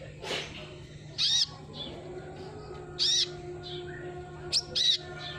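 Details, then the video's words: Sunbird used as a lure sound: brief high buzzy phrases repeated about every two seconds, with occasional sharp chirps and a constant low hum beneath. "suara burung kolibri"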